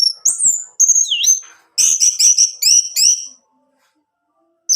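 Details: Orange-headed thrush song played to get a male to sing: high slurred whistles including a falling note, then four quick repeated harsh chattering bursts, followed by silence.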